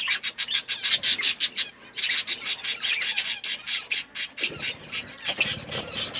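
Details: Budgies chirping as they eat: rapid bursts of sharp, scratchy high chirps repeated in quick pulses, a brief pause near the second mark, then the chattering resumes with occasional low knocks.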